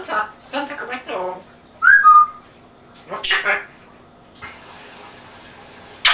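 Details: English-accented African grey parrot in a home: quick chattering word-like syllables, a bright two-part falling whistle, a further speech-like phrase, then a sharp knock at the end.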